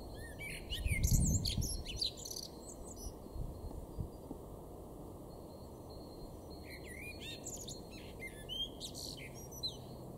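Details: A male Common Blackbird in a garden in Weener, East Frisia, northwest Germany, March 2024, sings two bursts of varied warbling phrases ending in squeaky high twitters, with a quiet gap between, over low background rumble.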